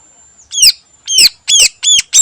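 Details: Cucak ijo (green leafbird) singing its full fill-in song in the morning: loud, ringing, arched notes that sweep down, repeated in a quick, slightly uneven series of about five.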